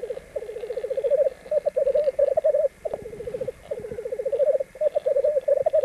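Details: Three hybrid black grouse x capercaillie males sparring on a black grouse lek, 1 May 1994, Landvik, Norway: loud rolling bubbling phrases, steady in pitch, repeated back to back with brief breaks.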